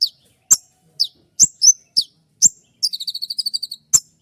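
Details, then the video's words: Konin trotol dawn training song of sharp 'shots': high falling chips roughly every half second, broken by a quick stuttering buzzy trill of about ten notes before a final chip. "Masteran dan Terapi konin trotol dengan suara tembakan yang mudah"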